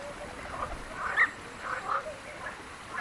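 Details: European bee-eaters in the wild in Palestine give a few short, rolling, liquid 'prruip' notes at mid pitch, spaced irregularly over soft background hiss.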